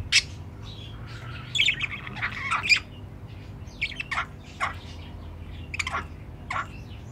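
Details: Near the nest box of a captive budgerigar pair, a dense burst of warbling chatter gives way to spaced single sharp chirps every second or so, over low hum.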